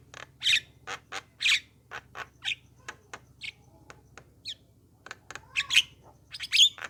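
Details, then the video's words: Javan myna song meant to prompt other mynas to reply and sing: a busy string of sharp clicks, chattering notes and short harsh squawks, closing with louder squeaky calls. "suara jalak kebo untuk pancingan jalak agar nyaut gacor manggut2"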